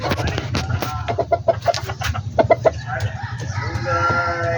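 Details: Backyard poultry chickens: quick repeated clucks and clicks, then a drawn-out, nasal, harmonic call at the end over a steady low hum.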